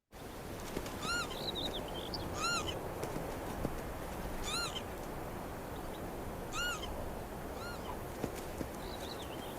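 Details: A Northern Lapwing call, of the kind heard from noisy winter flocks: five slurred, wheezy 'pee-wit' notes that rise and then fall, spaced a second or two apart, with thin chirps from other small birds and steady wind.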